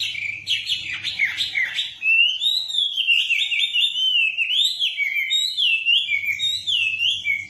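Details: Kept wambi with loud, rocking song, delivering a nonstop stream of warbled whistles that wave up and down in pitch, opening with a scratchy jumble before settling into clearer looping phrases, with a low hum underneath.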